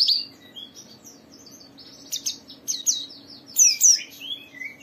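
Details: Persistently singing white-eye, used to coax other white-eyes to sing: softer, scattered high chirps and short warbled phrases with brief louder twittering bursts near the end, against a faint steady hum.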